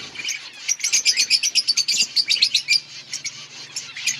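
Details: Budgies in an outdoor colony giving a rapid series of sharp high chirps, roughly two or three a second for about three seconds, over a background of softer colony chatter.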